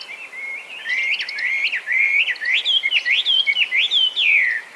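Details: Chinese hwamei singing in Japan, where the introduced species has gone feral: a steady whistled note opens, followed by a quickening sequence of loud rising and falling slurs, ending on a long descending whistle.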